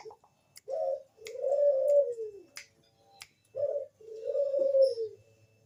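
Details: Bangkok-type zebra dove singing as a lure to get other doves to answer: two phrases, each a short bubbling note followed by a longer rolling coo that falls at the end, with faint clicks between.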